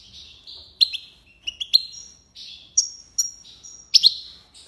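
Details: Goldfinch (mqnin, hassoun) song in the tiwawati and lipassade styles: drawn-out thin whistles mixed with sharp, bright chip notes, several separate high phrases with short pauses.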